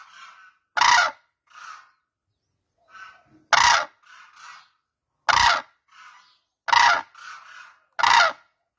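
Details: Crane calls, with loud, harsh, trumpeting blasts about every two seconds, each trailed by quieter grating notes, against an otherwise silent background.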